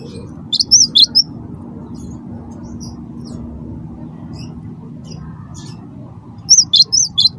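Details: Wingko-type cinereous tit used to coax other birds to sing: two short clusters of high, bouncy chirps, one at the start and one at the end, separated by several seconds of quiet low hum.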